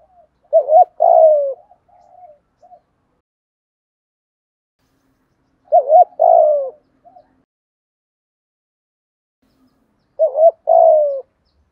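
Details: Decoy spotted dove calling to attract wild birds quickly: three evenly spaced phrases roughly every five seconds, each a paired short hoot, a longer downward-sliding coo and a few faint trailing notes, in an otherwise silent setting.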